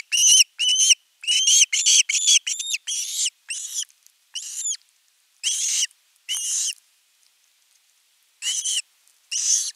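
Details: Osprey begging for fish at a nest, recorded 10 August 2021 shortly before a whole fish is brought; clusters of shrill, whistled, downslurred chirps, quick at first, then spaced singly with gaps of up to two seconds.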